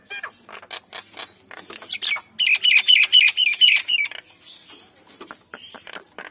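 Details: Nias hill myna, male and female: scattered sharp clicks, then a loud burst of about eight harsh ringing squawks in quick succession, followed again by clicking notes.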